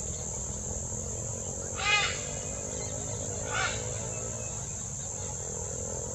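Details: Wild great green macaws, an endangered species, are feeding; two harsh, raspy squawks about two seconds apart rise over a steady high-pitched drone of insects.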